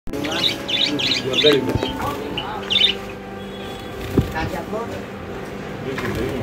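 A zebra finch gives a quick series of nasal, buzzy notes over a low background hum.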